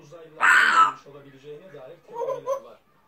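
African grey parrot talking: one loud, harsh, word-like burst, then a string of softer speech-like syllables ending in two quick rising notes, in a quiet room.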